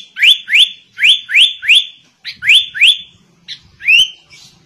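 A sooty-headed bulbul copying a white-rumped shama: loud, sharply rising whistled notes, about eight in under five seconds, each ending on a held high whistle.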